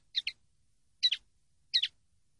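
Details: Common linnet song from a training CD: three short double-note phrases, each a pair of quick chirps spaced about half a second apart, dry and twangy, on a quiet clean background.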